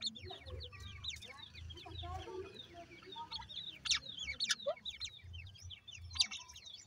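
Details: High down-slurred peeping from several teetar (grey francolin) chicks in their housing. The calls overlap irregularly over soft low murmuring notes, with occasional sharp clicks.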